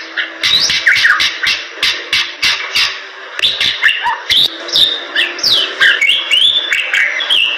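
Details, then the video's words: Bali myna in full, lively song for training other birds: a rapid series of dry clicks and short bursts opens, giving way to looping whistles, harsh squeaks and sweeping upward notes. "Jalak Bali Gacor Super Sangat Cocok Untuk Isian"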